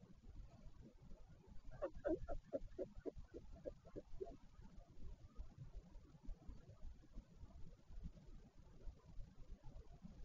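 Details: Northern royal albatross at a nesting colony at Taiaroa Head near Dunedin, New Zealand, during a parent changeover at the nest on 14 February 2019: a quick burst of harsh pulsed notes lasting about two seconds over a steady low wind rumble.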